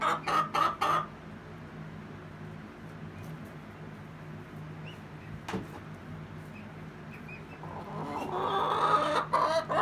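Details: Rhode Island Red and Golden Comet hens in their egg song, with short bursts of fast clucks at the start and a louder clucking run near the end, separated by quieter background noise.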